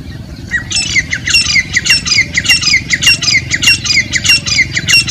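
A partridge gives loud, harsh, squawking notes in rapid repeated bursts, roughly one to two per second, over a low background rumble.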